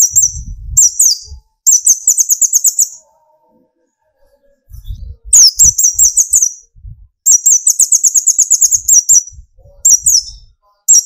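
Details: Sunbird (kolibri ninja) singing vigorously to trigger song in other birds: long runs of rapid, very high twittering notes in several bursts, separated by short pauses, with a few soft low thumps.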